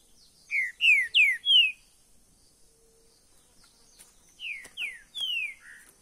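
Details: Trinca-ferro verdadeiro, a green-winged saltator in a cage, sings a rapid run of four bright, falling whistles. After a pause of about two seconds it repeats a similar four-note phrase ending on a lower slur.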